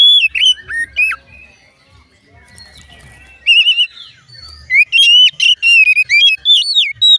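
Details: Oriental magpie-robin song, claimed to make other magpie-robins sing along: a few loud falling whistles, a pause with a faint drawn-out note, then a lively string of rising whistles and sharp chips.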